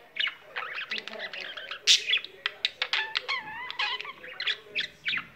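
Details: Pet budgerigar singing, one that keeps going once it starts: fast chattering warble of short clicks, buzzy notes and wavering whistles, with a brief louder squawk near the middle.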